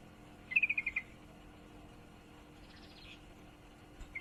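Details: Female yellow-vented bulbul in heat calling to a male, one rapid series of six chirps fading in loudness, then quiet with a faint buzzy rustle and a final single note.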